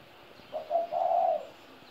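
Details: One cooing phrase from a spotted dove aged 17 years: a brief introductory note, a second short coo, then a long, even, hollow note that slowly trails off. Nothing else is heard.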